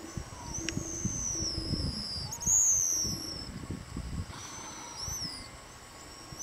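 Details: High, thin whistles from pigeon guillemots: a long wavering whistle that peaks sharply near the middle, then shorter rising and falling whistles, over low thumps and rumbling from elephant seal breathing and roaring sea lions in the background.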